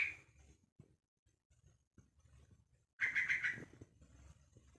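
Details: A young one-month-old Yellow-vented Bulbul gives one short, scratchy, stuttering call after a quiet stretch of faint room noise and soft taps, calling out to other bulbuls.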